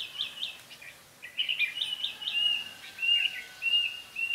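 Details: Red-whiskered bulbul used as a decoy during trapping: bright, whistled phrases with quick warbling notes, then a run of short, clear, level whistles, repeated steadily in a quiet background.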